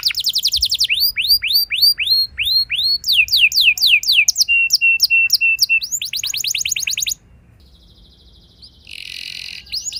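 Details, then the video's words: Canary song used to coax young canaries into long rolls: fast trills and repeated swooping whistles, a flat tone phrase, another dense roll, then near silence broken by a short noisy burst. "Seketika Burung Kenari Lain Ikut Gacor Ngeroll Panjang! Pancingan Ampuh Kenari Paud"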